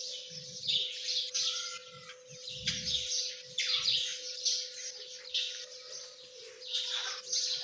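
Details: High-pitched cheeps from partridge chicks, irregular and sometimes falling in pitch, with a steady mechanical hum and occasional low thuds.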